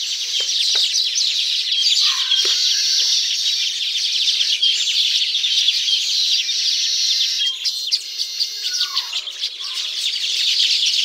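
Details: Nesting Baya weavers in tropical surroundings: busy overlapping chirps and sizzling twitters, with a few lower slurred notes and clicks breaking through the steady high chatter.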